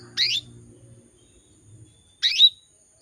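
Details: A female canary calls to attract males, giving two short scratchy chirps about two seconds apart over a faint low hum.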